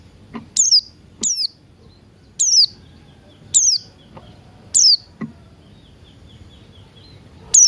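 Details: Morning song of Buxton's white-eye, played to prompt birds to sing. Single high, thin, falling notes are spaced roughly a second apart, with a faint whistle and occasional clicks in the background.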